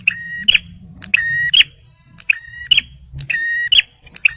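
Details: Male bar-winged prinia singing vigorously, used to lure birds and to prompt stressed ones: insistent two-part phrases of an even buzzing tone capped by a bright click, about four repetitions with a short gap midway.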